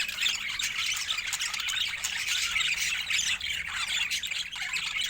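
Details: A flock of budgies keeps up dense, shrill chattering: rapid chirps, squeaks and warbled notes blending into a continuous high wash.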